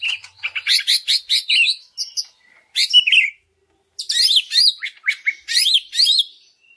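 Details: Greater green leafbird singing as a lure for other leafbirds: fast runs of sharp chirping notes and looped whistles, two dense bursts separated by a brief pause.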